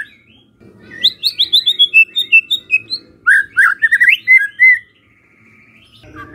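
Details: White-rumped shama song meant to draw replies from other shamas: rapid series of high, varied whistled and chirping notes in two bursts over a faint low hum.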